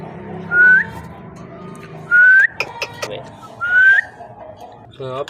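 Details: Parrot giving three clear, rising whistles roughly every one and a half seconds, each sliding upward at its end, with a brief harmonic warble near the close and a faint murmuring background.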